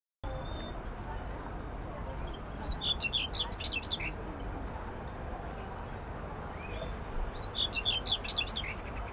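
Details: Common whitethroat (Curruca communis) singing on 25 May 2024 in an allotment garden in Södermalm, central Stockholm, Sweden: two short, scratchy, chattering phrases about five seconds apart, each roughly a second and a half of rapid high notes, over steady low background hum.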